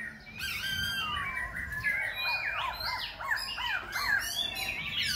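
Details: Singing and dancing Khe Sanh laughingthrush changing its voice continuously, producing a steady stream of slurred, looping whistles and downward-swooping notes.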